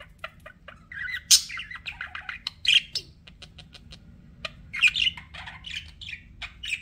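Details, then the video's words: Pet budgies chirp and squawk in lively chatter, short bright notes and harsher rasping calls mixed with tongue-click ticks, several birds seemingly calling together. "BUDGIE SOUNDS"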